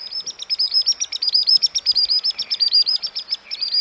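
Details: A Common Sandpiper from Central Russia gives a fast, high, piping trill of about five thin 'swee' notes per second, running on without a break over faint background hiss.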